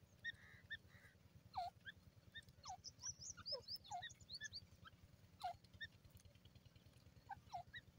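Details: Grey francolin voice heard as repeated harsh, downward-sliding notes at irregular intervals, mixed with bursts of high chirping from other birds and a persistent low hum.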